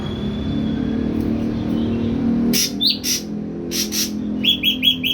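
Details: Young ashy drongo, wild-caught, three weeks caged and fully on pellet feed, starting to sing: harsh bursts and a rising whistle, then a rapid series of four sharp upslurred notes over low mechanical hum.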